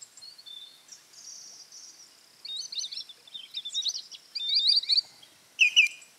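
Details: Common snipe on autumn migration in November at Gyzylaghaj National Park, Azerbaijan, fighting and chasing rivals on shallow feeding grounds, give high, scratchy chirping notes in uneven bursts, louder toward the end, over faint hiss.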